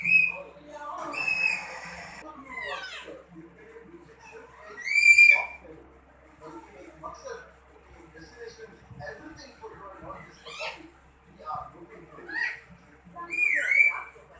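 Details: Parrot talking and whistling: bursts of harsh, speech-like chatter alternate with loud, bright whistled notes, some rising and falling, spaced through the recording.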